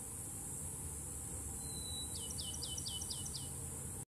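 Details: Bachman's sparrow singing in Palm Bluff Conservation Area: a high steady whistle followed by about seven quick, descending slurred notes, set against constant insect hiss and low rumble.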